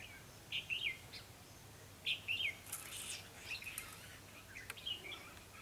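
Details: Red-whiskered bulbul serving as a trapping decoy, delivering sharp, lively warbled notes in quick clusters, followed by softer scattered chirps and a brief rustle.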